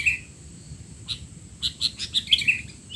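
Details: Sooty-headed bulbul calls used as training audio for young bulbuls: a quick series of bright, sharp chirps, a few isolated at first and then clustering into a rapid burst near the end, over a faint low hum.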